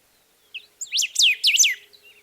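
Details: Golden-billed saltator song: a short high note, then a quick run of loud whistled notes, each sweeping steeply downward, packed into about one second against a quiet background.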